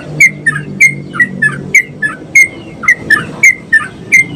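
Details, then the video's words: Spirited song of a sooty-headed bulbul, used to get other bulbuls singing: crisp short whistled notes spaced irregularly, roughly three per second at times, with a faint low drone in the first seconds. "SUARA BURUNG TRUCUK GACOR ‼️ COCOK BUAT MERANGSANG TRUCUK BAHAN"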